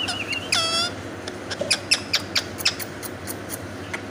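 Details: Indian ringneck parakeet screaming loudly: one harsh, strongly harmonic screech lasting under half a second, followed by a series of sharp, high clicks over steady room noise.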